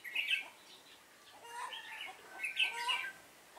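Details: Red-whiskered bulbul decoy singing fighting song during trapping, 7 September 2018: a brisk warbled phrase, a softer fluty interlude, then another loud chattering burst of notes.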